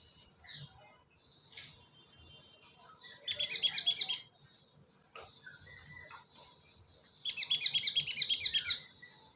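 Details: Lure call of a cinereous tit, two bursts of rapid, regularly repeated high chattering notes, each lasting over a second, separated by a few seconds of near silence.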